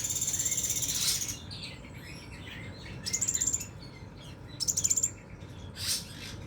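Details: Scarlet minivet, song described as 'nembak': a long, very high rapid trill opens, then two shorter pulsed high buzzy bursts follow about two seconds apart, with softer chirps and a low hum behind.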